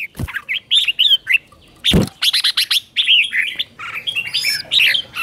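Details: Morning song of a red-whiskered bulbul, played to train and provoke other bulbuls into singing: lively sequences of looping, warbled whistles and short chirps, with a couple of sharp knocks between phrases.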